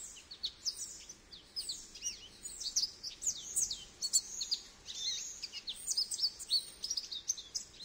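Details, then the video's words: Goldfinch pouring out a long, rapid, jangling twitter of high chirps, trills and up-slurred notes for nearly eight seconds, barely pausing, with nothing else audible. "Goldfinch Bird Sounds"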